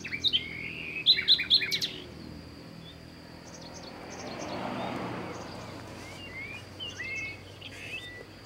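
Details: Nightingale singing outdoors in nature: a loud quick burst of sharp repeated high notes and trills at the start, a pause with soft background rumble, then quieter whistled slurs and chirps further off.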